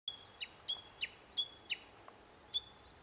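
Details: Japanese bush warbler calling: a series of seven short, high whistled notes, some ending in a quick downward flick, spaced roughly a third of a second apart against faint steady background noise.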